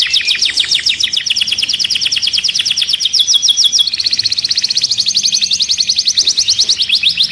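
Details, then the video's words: Canary in continuous song, played to stimulate other birds for mating: fast rolling trills of high repeated notes, speeding and shifting pitch midway, unbroken from start to finish. "تغريد الكناري لتنشيط الطيور Canto canario para activar pájaros"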